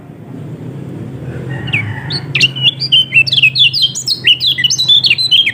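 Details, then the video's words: Yellow-throated white-eye, known in Lombok as kecial kuning, heard as a lure to make a lazy bird open its beak and sing. Soft faint notes first, then a lively, rapid, high-pitched twittering warble of quick slurred chirps. "Pancingan Kecial Kuning Males Bunyi Agar Cepat Buka Paruh"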